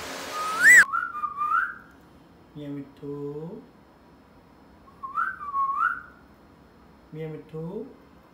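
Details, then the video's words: Pet parrot vocalizing: two wavering whistled phrases near a steady mid pitch, each rising then dipping, alternating with short low voiced syllables like speech, opening with a brief sharp high note. "Miya Mitthu Ki baten Suno"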